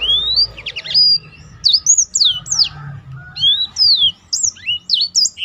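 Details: A tutor Black-throated canary kept to provoke other birds into singing pours out long rising whistles and steep downward-swooping notes, separated by short gaps, over a quiet low background hum.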